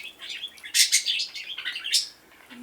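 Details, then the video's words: Indoor pet budgie giving a dense run of buzzy, high-pitched warbling chatter with a few louder sharp notes, fading into quieter twittering at the end. "incessant talking budgie"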